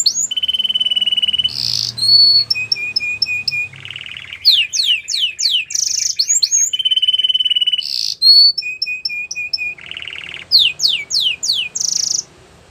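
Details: Canary training song, intended to stimulate a caged canary to sing: rapid varied phrases of high whistled trills, steady buzzy rolls and fast downward-sweeping notes, some sections repeated after about six seconds, loud and continuous throughout.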